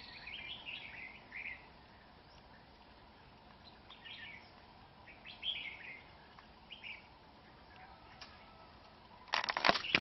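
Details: A red-whiskered bulbul sings fast and fierce while fighting a rival at a trap on a cold, windy early-winter day. Several short, bright warbled bursts are separated by quiet gaps. The clip ends in a loud, rough flurry of flapping or rustling.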